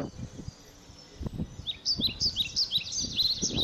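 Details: Blackbird chicks in a shed nest being fed insects; after low knocking and rustling, a burst of shrill, high begging squeaks repeated quickly starts midway and continues to the end.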